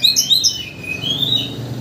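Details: Oriental magpie-robin song used as a lure to excite a bird into singing its full repertoire: a short burst of high, clear whistled notes and sliding chirps, with a faint low hum beneath.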